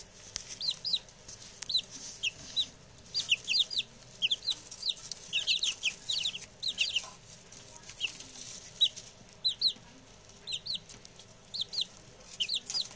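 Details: A group of six newly arrived male chicks chatters with a steady stream of high, sharply descending peeps, dense bursts alternating with short pauses over several seconds.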